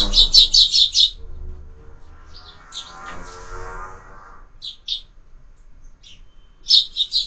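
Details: Sparrows at a window-mounted feeder, fed year-round: quick bursts of high chirps, a rapid run of five at the start, then scattered pairs, with soft rustling and clatter between.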